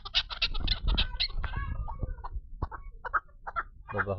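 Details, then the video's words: A female chukar partridge gives a quick run of harsh clucking notes, then slower spaced chucks, over a low background rumble; a brief human voice follows at the end. Possibly recorded 2 August 2025. "Mysterious call of the female chakor bird"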